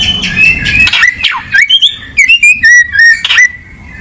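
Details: Song of a kacer, or oriental magpie-robin: a mix of whistled slides and trills, then a series of evenly spaced clear ringing whistles with faint harmonics, ending in one sharp sweeping note.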